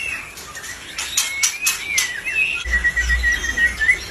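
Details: Albino white-rumped shama in full song, giving clicks and a long, wavering whistle, then a rapid steady trill of high notes, with a low hum underneath toward the end.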